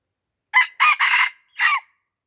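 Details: Crow of a red junglefowl in Lamteuba, Aceh, Indonesia, recorded while luring the bird near a house: four bursts, short, then two merged longer ones, then a last falling burst, clean and loud with a quiet background.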